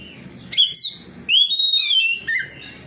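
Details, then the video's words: Oriental magpie-robin answering another bird with loud song: a sharp rising whistle, then a long level high whistled note that slurs downward, and a brief falling end phrase. "KACER NGEPLONG KACER LAIN LANGSUNG RESPON NGEPLONG BONGKAR ISIAN"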